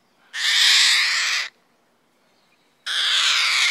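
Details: Cockatoo letting out two long, raspy, grating screeches, each about a second long and separated by a pause of roughly a second and a half.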